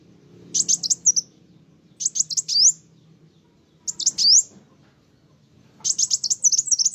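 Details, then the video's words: Vigorously singing kolibri wulung sunbird that provokes other birds: four short, very high twittering phrases about two seconds apart, each a quick cluster of sharp chirps, several ending in an upslurred whistle. "Kolibri wulung gacoorr bikin burung lain emosi"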